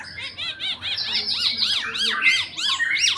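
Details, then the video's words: Tame red-eyed bulbul singing steadily with many varied phrases: a fast run of high, arched whistled notes, rising and falling, about one and a half per second, with some notes overlapping and no other clear sounds. "BURUNG ARA MATA MERAH JINAK GACOR BANYAK ISIAN"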